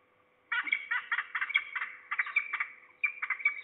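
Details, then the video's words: Calls of at least two falcons at Trzebież, Poland, afternoon of 2 September 2019, one closer and below. After a brief silence, harsh rapid chattering begins in quick runs, pausing once before resuming, over a faint hum. "We hear at least two falcons (closer, below)."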